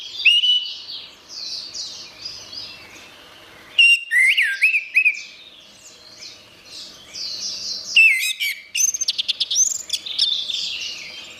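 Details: Orange-headed thrush singing on a songbird training recording: three loud outbursts of whistled, twisting phrases spaced about four seconds apart, with a constant wash of high, rhythmic chirps between them.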